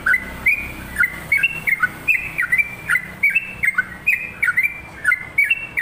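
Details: Lively yellow-vented bulbul song of rapid chattering whistled notes, dipping then jumping up, packed in quick succession for six seconds with a soft low rumble underneath.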